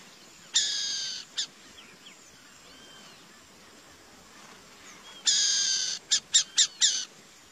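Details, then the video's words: A burrowing owl sounds two drawn-out, grating hisses several seconds apart, the second followed by a quick series of four short rasping bursts; soft distant bird whistles fill the pauses. "CORUJA BURAQUEIRA,CORUJA DO CAMPO, CABURÉ DO CAMPO / Buraqueira OWL, FIELD OWL, FIELD CABURE"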